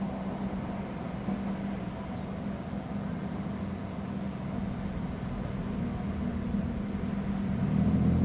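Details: Continuous engine-like drone with a low hum that grows slightly louder toward the end. No animal calls are heard.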